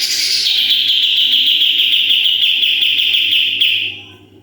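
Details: Sooty-headed bulbul delivering one long shooting-style 'tembakan' trill, used as a master song for training birds: a high start dropping into a steady, very fast buzzy rattle for about three and a half seconds, then fading.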